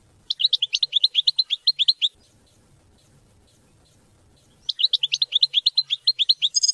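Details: European goldfinch song to stimulate hunting and mating: a steady series of sharp, repeated high chirps for nearly two seconds, a silent break, then the same fast chirping series resumes.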